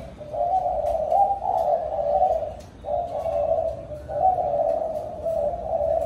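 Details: Spotted dove calling its flock in the evening: low, mellow cooing phrases, each a run of throaty notes about a second long, repeated with brief pauses and a quiet background.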